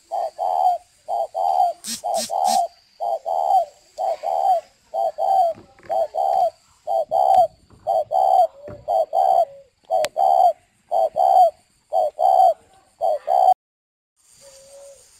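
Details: Caged decoy spotted dove in northern Vietnam cooing steadily, low mellow hoots in a regular series about one per second, with a brief burst of higher chirps near the start and a man speaking Vietnamese quietly.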